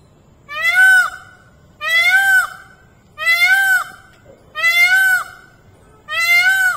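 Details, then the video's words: Indian peafowl (peacock) giving loud, nasal, wailing calls, each about a second long, repeated roughly every 1.3 seconds, over a faint low background hum. "Peacock song"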